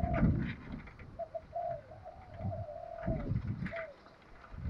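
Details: Decoy spotted dove calling to stir up wild doves: soft, low, hollow coos, a linked run of several notes in mid-clip, then one more short coo near the end, over heavy low thumping and rumbling noise.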